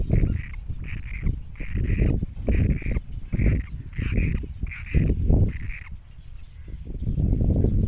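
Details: Great cormorant chicks: a run of harsh, raspy calls repeated about twice a second for six seconds, then stopping, over heavy low rumbling noise.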